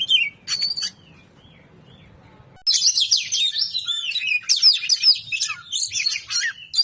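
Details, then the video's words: Oriental magpie-robin singing in the ngobra patah style, used as a tutor song for training other birds: a short chirp, a quiet gap, then a dense, continuous rush of high twittering, slurred whistles and rapid chattering notes. "BURUNG KACER NGOBRA PATAH GACOR MANTAP BUAT MASTERAN"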